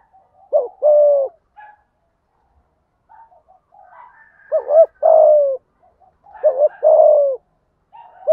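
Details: Spotted dove giving a thúc gù coo in the deep thổ voice, meant to rouse decoy birds: three phrases about three seconds apart, each a quick wavering double note then a longer falling coo, faint chirps between.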